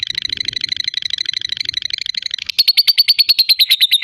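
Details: Lovebird fighter's long ngekek, meant to trigger rival birds: a rapid, buzzy chattering trill that shifts midway into slightly slower, louder, ringing pulses, all high-pitched and unbroken.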